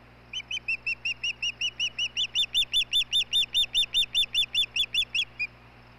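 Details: Osprey calling at a nest camera as the male brings dinner to the female, 17 May 2016, late evening: a steady series of about twenty clear, high chirped whistles, evenly repeated and rising slightly in loudness.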